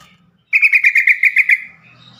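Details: Yellow-vented bulbul (trucukan) call, kept for prompting stressed or silent caged birds to sing: a quick chattering run of about eight sharp, evenly spaced notes lasting about a second, then quiet.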